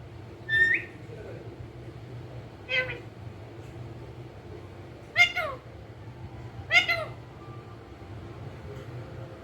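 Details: A pet talking parrot gives four short, harsh, voice-like utterances, somewhat meow-like, about two seconds apart over a steady low hum.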